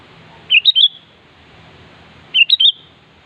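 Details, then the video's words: Calling a rival, a sooty-headed bulbul gives two short phrases of three clear, rising-and-falling whistled notes, the last drawn out slightly, separated by nearly two seconds of faint background hiss. "Suara Burung Kutilang Gacor Siap memanggil Lawan"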